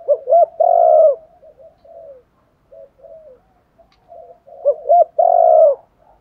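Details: Spotted dove cooing used to draw in wild doves: two rapid hooting notes and a long falling coo, soft trailing murmurs, then the same phrase repeated about four seconds later.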